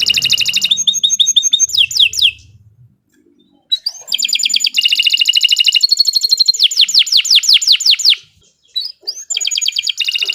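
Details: Canary tutor song, long continuous singing, used as a master for training young songbirds: high rattling trills and tours of falling whistled sweeps, a short silent gap near the third second, then more dense trilling.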